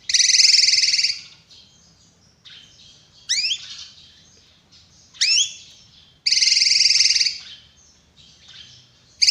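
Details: Drongo alternating long harsh buzzy rattles with sharp, upward-swept ringing whistles. Faint chatter runs between the phrases, and the louder notes recur every couple of seconds.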